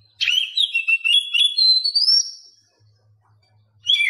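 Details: Captive Oriental magpie-robin song used as a lesson track for mute birds. A continuous rich warble of whistled notes ends in a long, rising, slurred whistle, then a pause and the start of a new phrase.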